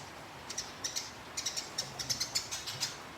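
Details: Fighting sparrow captured as a training recording for contest birds, with thin, high chirps coming in a loose, rising series of single and doubled notes over faint background hiss.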